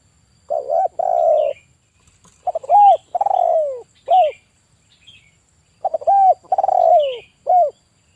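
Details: Male spotted dove in active voice, 'kuk 1' style, used as a decoy for trapping, giving stuttered lead-in notes, a long falling coo and an arched closing note, the phrase repeated twice with faint higher chirps behind.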